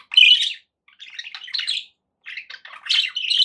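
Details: Domestic budgies give bursts of high squeaky chirps and twittering warbles, separated by brief silent gaps, ending in a louder run of chattering notes.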